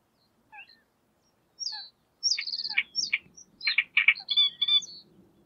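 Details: Courting great reed warbler in display song: a few soft scattered notes, then from about two seconds a loud run of harsh, grating, croaking phrases with some repeated notes in quick succession. A faint low rumble sits underneath.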